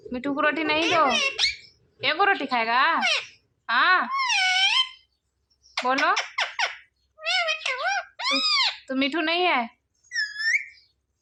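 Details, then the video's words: Pet parrot mimicking human speech, taught to say words like mummy and papa; several high, speech-like phrases in bursts with short silent gaps, in a small indoor room. "Parrot talking mummy"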